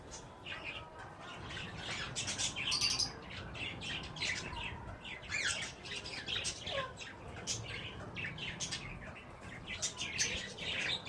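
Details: Harsh, grating squawks and shrill chirps from wild green ringnecks while mating, repeated irregularly in loose bursts through the whole stretch.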